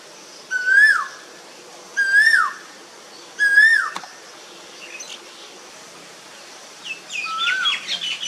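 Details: Asian koel (Eudynamys scolopaceus), song.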